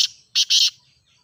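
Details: Grey francolin (ghogha teetar), recording used to train and prompt other francolins to call: two harsh, loud, rasping notes, the second longer, in quick succession, then quiet.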